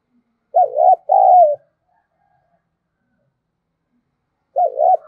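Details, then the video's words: Decoy spotted dove cooing as a lure to provoke replies: a loud double coo phrase, a long silence, then the same wavering coo pattern starting again. "Tiếng chim cu gáy thúc bổi hiệu quả nhất - Chim Cu Mồi"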